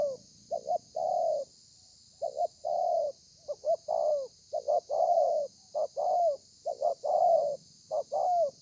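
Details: Spotted dove in thổ pha song style with lèo and dặm variations, recorded 30/11/2020; low hollow coos paired short-then-long, about one per second, broken by a two-second pause, over a constant high hiss.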